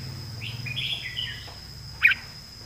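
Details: Red-whiskered bulbul kept as a competition songbird in Thailand, giving one short warbled whistled phrase over a low hum, followed by a single sharp click.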